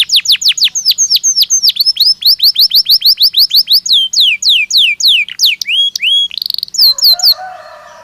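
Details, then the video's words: Natural song of a Belgian canary: quick repeated downward-sweeping chirps, then slower looping whistled notes, a short buzzy burst, and a fading low rattle at the close. "Canario Belga Cantando Naturalmente"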